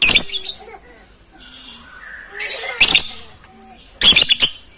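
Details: A crowd of lovebirds calls loudly, captured on a phone camera; sharp, rasping shrieks break out roughly every second above faint twittering, with a brief soft lower warble between bursts.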